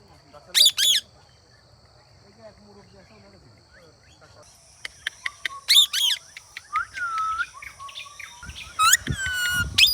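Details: Ringneck parrot calls in short bursts: a pair of sharp screechy squawks early, a quiet stretch, then more shrill squawks, clicks and chirps building toward the end.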